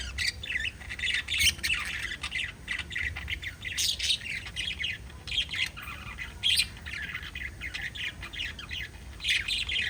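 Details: Pet budgerigars keep up a continuous chatter of raspy squawks, chirps and warbled notes, rising and falling in loose bursts, with occasional sharper high chirps.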